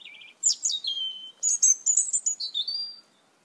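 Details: Asian glossy starling, from a red-eyed flock that ate the papayas in a yard, giving a rapid jumble of high, sharp whistles and metallic chirps with buzzy slurred notes, lasting about three seconds.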